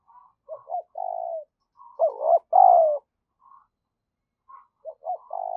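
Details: Spotted dove cooing to lure and stimulate: a run of short soft notes and throaty coos, with a strong drawn-out falling coo in the middle, then more brief notes and a final coo.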